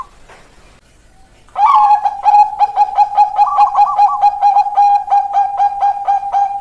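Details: Bangkok zebra dove singing its 'keok kok kok kok' song as a prompt for lazy doves. After faint background, a loud burst starts a long series of gentle repeated coos with a rolling higher trill.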